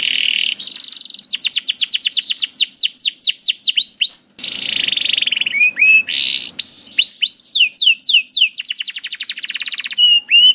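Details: Canary song used as a master recording to train young or reluctant canaries to sing: fast rattling trills and rapid series of downward-sweeping whistled notes, shifting between tours, loud and continuous with brief pauses.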